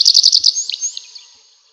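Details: Nightingale in a forest at night giving five loud, evenly spaced high notes, then a thin rising whistle and scattered soft notes that fade away.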